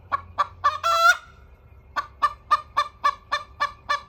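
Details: A hen crowing: three quick harsh clucks, then one drawn-out, ringing nasal note rising slightly at its end, followed by a steady run of eight evenly spaced clucks about a quarter second apart.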